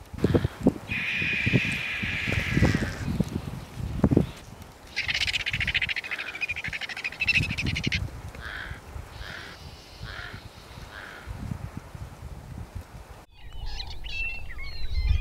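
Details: A group of White-backed vultures feeding on a zebra carcass in front of a homemade hide gives harsh, raspy cackles in bursts of a few seconds, over low thuds and rustling, with thin, high chirps from other birds at the end.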